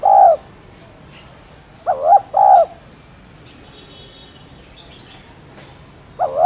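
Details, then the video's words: Spotted dove coo phrases used to provoke caged birds into cooing: a long coo at the start, one full two-part phrase in the middle, and another beginning at the end, separated by quiet stretches. "Cu Gáy Thúc Chay Bổi Nghe Gáy Liền.... . Tiếng Cu Đất Gáy , Cu Cườm Gáy Kích Bổi"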